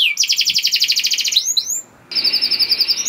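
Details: Canary song used to get other canaries singing: a rapid, even rolling trill, a couple of rising swoops, a brief silence, then another fast bright trill.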